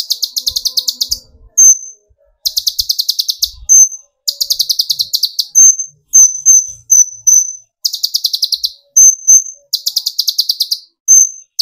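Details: Olive-backed sunbird (kolibri ninja), young speckled to full metallic plumage, singing to provoke other birds into song: fast buzzy trills of rapid high chips repeated in bursts, alternating with thin sharp whistled notes.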